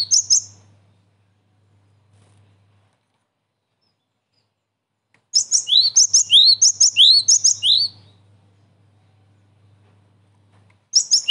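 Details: Trapping-lure calls of the Cinereous tit: brief chirps, five seconds of quiet, then a lively two-and-a-half-second series of piercing high notes and rising slurred whistles, ending with one more chirp burst.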